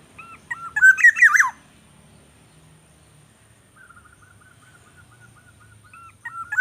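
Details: Nestling greater coucal struggling to swallow a rat's head brought by its parent gives a loud, rasping, up-and-down squeal, followed by a faint series of thin, evenly repeated tones.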